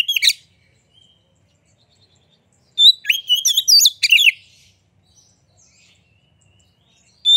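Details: White-rumped shama lure song: a short opening burst, silence, then about a second and a half of rich warbled whistles and sharp notes, and a final brief note.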